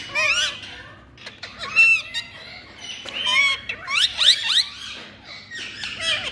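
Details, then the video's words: Chattering ringneck parakeet talk, with bursts of raspy, harmonic-rich syllables and upward-sweeping squeaks between short pauses, loud and close. "Ringneck🌶All Innocent🌷Talking"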